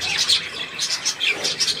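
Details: Budgerigars recorded 3 April 2017 giving quick high chirps in pulses roughly every quarter second, a lively warbling twitter.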